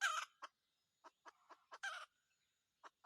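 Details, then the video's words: Wild red junglefowl rooster, caught during decoy trapping: a few short, harsh broadband clucks and calls in a scattered sequence, with quiet gaps between bursts and no other clear sounds. "cuab tau lau qaib qus lawm nawb(ต่อไก่ป่าหม่านๆ)"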